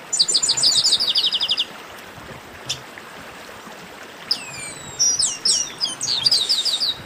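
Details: Chestnut-capped blackbird giving esquenta warm-up song: a rapid rattling trill of sharp high notes for over a second, then a pause and a later run of sweeping whistles and chipped notes over steady hiss.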